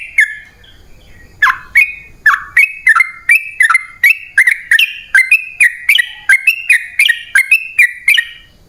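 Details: Sooty-headed bulbul (trucukan) lure song intended to make wild birds answer. After a brief opening note, short liquid whistled phrases with sharp attacks repeat steadily, about two per second.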